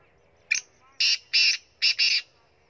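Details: Black francolin from Punjab calling: a loud grating phrase of five harsh, high, rasping notes, the last two run close together, over a quiet background.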